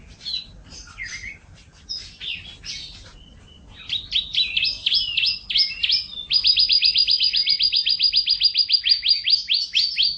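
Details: Canary in gacor isian style: a few varied whistled phrases and chirps, then sharper down-slurred notes building into a loud, rapid, very regular high trill sustained to the end.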